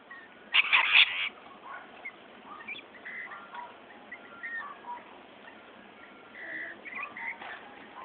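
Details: Rainbow lorikeets squabbling over spilt ice cream: one loud grating screech burst early on, followed by scattered shrill chattering and squeaky calls from the group.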